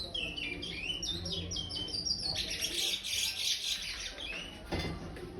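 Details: Five-month-old captive-bred curió, or chestnut-bellied seed finch, in brown plumage, giving praia-style song: a run of quick descending whistles, then a denser, buzzier warbled stretch, ending with scattered notes and a soft thump.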